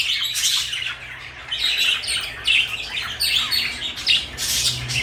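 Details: Busy chirping and squawking from two pet parakeets, blue and pale yellow, each burst harsh and buzzy, crowding close together with a faint low hum at the start and end.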